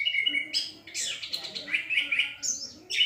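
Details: Loud and clear orange-headed thrush song with sweet whistled notes and slurred, wavering phrases delivered continuously.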